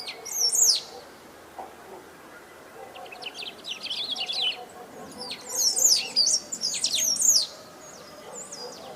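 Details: Rare Brazilian great pampa-finch singing hard and continuously: bursts of sharp high chirps and rising slurred notes, with quieter gaps between phrases and faint background noise.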